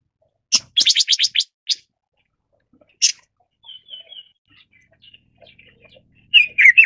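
Red-billed leiothrix giving a quick rattling burst of six harsh notes, then sharp single chips, faint high whistles and a final scratchy flurry.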